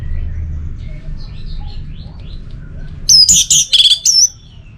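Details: Faint distant bird notes over low hum give way to a loud, high burst of rapid chattering notes and whistles from an Orange-headed thrush lasting about a second.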